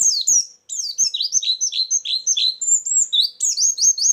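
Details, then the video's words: White-eye song played as a lure and filler: continuous sharp, very high twittering of swooping notes that slide downward, with a few longer whistled notes toward the end. "suara burung pleci pikat+isian"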